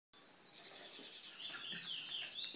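A Chestnut-bellied Seed-Finch sings a fast, continuous run of high, sweet warbled whistles that wander up and down, over faint background noise.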